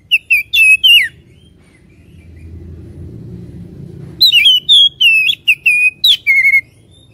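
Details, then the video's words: Oriental magpie-robin song played to provoke fighting spirit: a brief whistled phrase, a pause, then a fast string of bright chirping whistles, about four notes per second. "Pancingan Kacer bikin panas dan ngotot"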